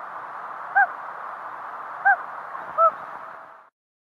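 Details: Three short, soft Common Loon hoots, in Minnesota, each a single low clipped note, spaced about a second apart over a steady background hiss. The hoot is used mainly between pair members and chicks.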